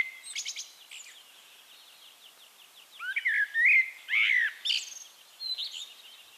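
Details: Eurasian Blackbird (Turdus merula) singing in Castricum, the Netherlands: after soft high twittering, a loud run of low, fluting whistled phrases with falling slurs, ending in thin high squeaky notes.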